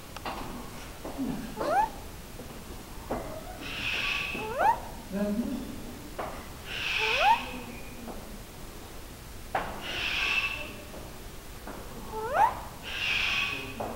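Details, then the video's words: Black-collared starling kept at Almaty Zoo in Kazakhstan, recorded February 19, 2012, gives about four loud harsh screeching bursts every two to three seconds, each paired with quick rising whistled notes, against a low background hum. "Black-collored Starling"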